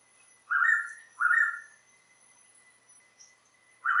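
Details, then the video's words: A typical Blue Pitta call recorded in Tat Mok National Park, Thailand: short, slightly rising whistled notes, each about half a second, repeated every second or so with gaps between bursts; often given late in the day from an elevated perch. "in the breeding season the blue pitta will often respond to playback of their call this is a typical blue pitta call"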